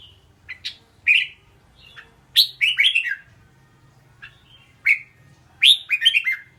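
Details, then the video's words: Red-whiskered bulbul singing: short, bright phrases of liquid whistled and warbled notes, mostly mid-high, delivered in two clusters a few seconds apart with single notes between, over a faint low hum. "เสียงร้อง นกกรงหัวจุก"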